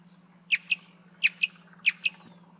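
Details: Marsh antwren singing three quick double notes, each pair a bright downward chip and a softer second note, evenly spaced about two-thirds of a second apart, with a faint constant low hum behind.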